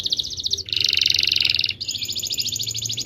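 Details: Canary with a rolling song made of rapid pulsed trills, a louder rich lower buzz in the middle, then a high thin continuous trill.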